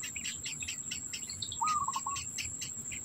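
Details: Black bittern nesting, holding food for its young; one call heard, flat at first and then breaking into several fast pulses, surrounded by chirping insects and a piercing constant drone.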